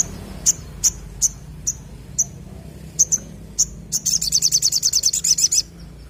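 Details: Crimson sunbird in full song: evenly spaced piercing high chips roughly every half second, building into a rapid, buzzy high trill near the end; faint low hum beneath.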